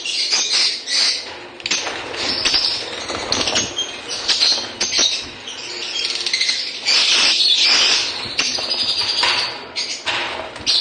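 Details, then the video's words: Lovebirds chirping: dense, shrill high-pitched chirps and squeaks from several birds overlapping continuously, with busy bursts and brief lulls throughout. "lovebirds chirping sounds."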